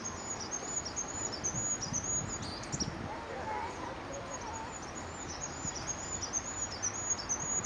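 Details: Goldcrest song at Staffordshire Wildlife Trust HQ, 9 March 2016: a very high, needle-thin run of quick repeated notes that continues almost throughout, partly masked by constant background hiss.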